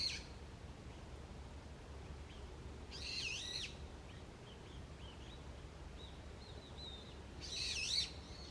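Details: Wild birds in a forest at early morning in autumn: two loud bursts of high twittering song about five seconds apart, with soft thin chip notes in between.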